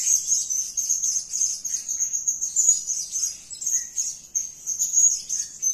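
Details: Continuous high, thin twittering from a blue-crowned hanging parrot that is calling energetically, made of rapid squeaky notes in a nearly unbroken stream with rhythmic surges in loudness.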